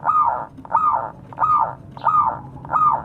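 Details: A vocal local zebra dove calls to its companions with five rounded, arching coo notes in a steady rhythm, roughly one every 0.6 seconds.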